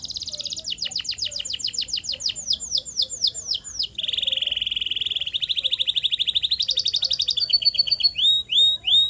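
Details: Canary training song for stimulating other canaries to sing: a run of rapid downslurred notes slowing down, then a fast rolling trill, a higher buzzy trill, and final rising chirps.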